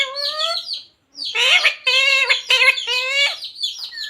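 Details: Pet parrot talking, imitating phrases such as radhe radhe, jai shree ram, sita ram and mummy papa; harmonic, voice-like syllables come in two bursts around a brief silence, with a squeaky rising note at the end.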